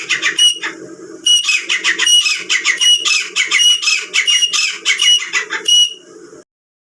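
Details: Female grey francolin (teetar) calling, recorded as a hunting lure: loud, grating notes repeated quickly in bursts for about six seconds, with a faint hum beneath, then silence.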